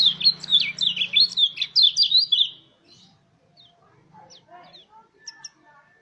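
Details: Mountain white-eye song played to coax other white-eyes into singing: a fast, high, chattering warble of repeated slurred notes for about two and a half seconds, over a low hum, then sparse faint chirps.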